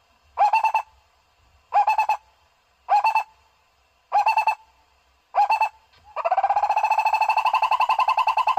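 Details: Barbet calling, used as a bird lure: five hollow clipped bursts of rapid low notes, then a long, fast, rolling trill of pulsed notes that swells and carries on to the end.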